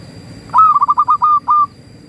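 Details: Indonesian local zebra dove song intended to encourage other doves to sing: a crisp burst of six staccato cooing notes at steady pitch, the final note stretched out, with a faint constant tone behind.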